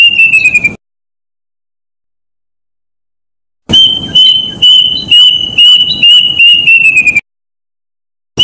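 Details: Plaintive cuckoo: a phrase ends, a long silence follows, then a fresh run of high whistled notes speeds up and drops slightly in pitch before stopping, with faint crackle below.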